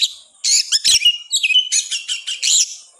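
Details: Oriental magpie-robin, a caged bird kept to provoke other magpie-robins, singing a loud energetic burst of harsh buzzy notes and clear whistles, with a brief rising whistle near the middle.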